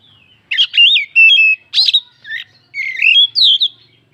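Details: Kacer, the oriental magpie-robin, singing a provoking song meant to stir other birds' emotions: bright whistled phrases in quick bursts, some buzzy, others sliding up and down, with brief gaps between.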